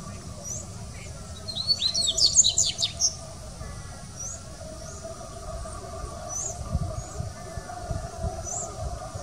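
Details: Dubois's seedeater in the Sao Paulo Botanical Garden, Brazil, 6 January 2019: a hurried, high, tumbling twitter of sliding chirps around the second to third second, followed by scattered soft high whistled notes over faint background hum.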